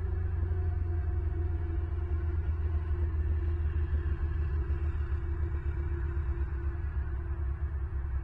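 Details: Deep, continuous engine-like rumble dominates, with a steady low hum and no animal sounds.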